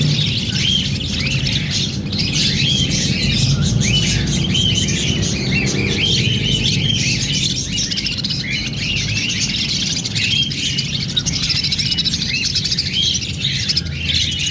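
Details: Budgerigars, a breeding pair in an aviary, chatter constantly in short, bright, warbling chirps over a steady low hum.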